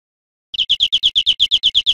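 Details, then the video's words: European greenfinch song from a teaching recording for cage birds: after half a second of silence, a rapid run of evenly spaced chirped notes, about eight per second, bright and clean with no background. "Canto Verderon cd educador"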